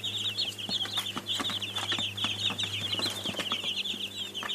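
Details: Baby chicks chirping loudly together, thin high peeps repeated rapidly and overlapping, backed by a low electrical hum and small knocks.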